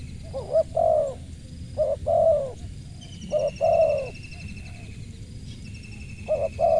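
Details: Spotted dove with a crisp voice cooing: low, mellow phrases of a short note then a longer, drawn-out coo, repeated about four times with pauses between. A faint high whistle runs steadily in the background over a low rumble.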